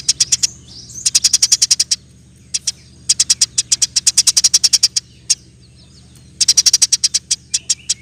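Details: Frequent-singing Eurasian tree sparrow, 'roll tembak spit rapat' song for training other cage birds: long rapid runs of crisp high chirps lasting one to two seconds, broken by short pauses and single notes, with a steady low hum beneath.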